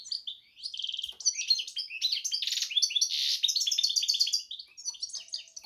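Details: Hybrid of goldfinch and canary in full song: a quick, varied medley of high twitters, buzzy trills and sweet whistled notes, nearly unbroken, fading toward the end.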